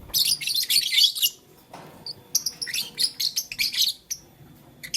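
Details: Blue lutino and green lovebirds chirping as they play with a flower; rapid scratchy high chirps run in quick bursts, a short pause, then another fast irregular series of sharp notes.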